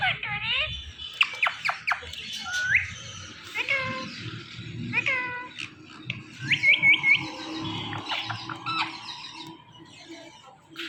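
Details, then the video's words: Pet Indian ringneck parakeet chattering in mimicry: bursts of squeaky harmonic syllables, sharp downward clicks and brief rising whistles, irregularly spaced, over a low background hum. "IRN Talking Parrot"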